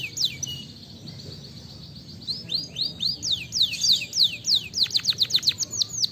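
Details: Canary song used as a lure to prompt singing: a quiet opening, then rapid high swept chirps building into a loud, fast trill of sharp downward notes. A faint steady background noise is present.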